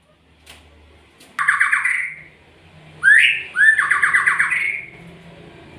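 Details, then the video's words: Magpie-robin uttering two harsh, scratchy rattles, the second introduced by a sharp upward note. A faint low hum runs underneath throughout. "SUARA burung MURAI"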